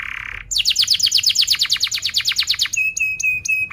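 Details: Canary song used as training for young canaries: a short buzzy note leads into a rapid tight roll of repeated descending chirps, then a sustained whistled tone overlaid with sharp high clicks.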